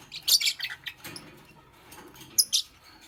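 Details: Green Fischer's lovebird kept with a pastel bird, making a nest in the morning: quick bursts of sharp, high chirps, then a quiet stretch before two more loud squeaky notes near the end.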